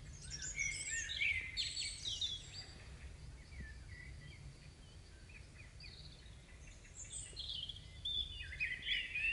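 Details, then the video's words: Evening birdsong after rain in May 2015, recorded before a house: a rush of twittering phrases, then a quieter lull, then renewed chirping and trills, with low background rumble throughout. "CHANTS DOISEAUX"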